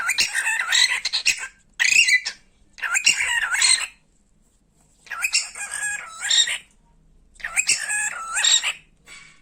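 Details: Pet talking cockatiel at play, giving raspy, warbling speech-like phrases in bursts of one to two seconds separated by short silences, with wavering tones sliding up and down.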